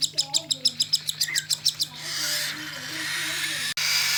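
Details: A cockatiel chick being hand-fed gives rapid, raspy begging calls, then a continuous hissing wheeze.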